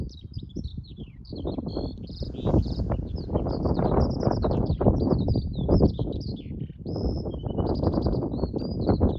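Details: Skylark song in flight over Arranmore, Donegal, Ireland, March 2024, a long unbroken torrent of quick high twittering notes and short trills, with strong gusty wind noise underneath.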